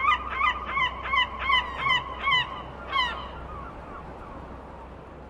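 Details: Gull calling: a quick series of about seven loud, nasal yelping notes evenly spaced, then a single strong squawk and fading weaker notes, over low steady background rumble.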